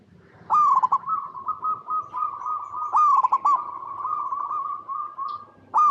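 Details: Zebra dove in full song, a local perkutut recorded in natural habitat as a lure to make others respond. Loud stuttering openings run into long, even, steady coo phrases, repeated about three times.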